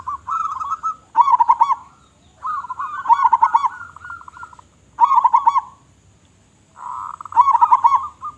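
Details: Big-voiced local zebra dove in full song, used to attract others: dense, overlapping series of rapid pulsed coos with rolled accents, phrases following closely one after another with brief pauses.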